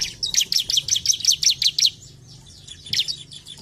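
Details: Ciblek or bar-winged prinia, played to get caged birds singing: a fast series of about ten bright, high, evenly spaced chirps, then quiet, then a single short chirp group.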